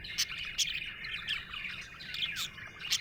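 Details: Cheerful budgerigar chirp-warble: unbroken twittering chatter punctuated about every half second by bright, clipped ticks.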